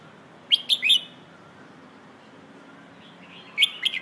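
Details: Red-whiskered bulbul singing the 'Hoh' song style, used to train young birds: two brisk phrases of clear, bouncing whistled notes about three seconds apart, with a steady low background hum.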